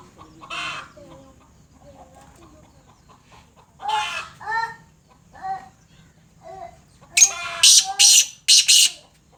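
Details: Black francolin hen calling: a series of harsh, harmonic notes spaced about a second apart, ending in three loud, rasping, broadband bursts in quick succession; quiet background.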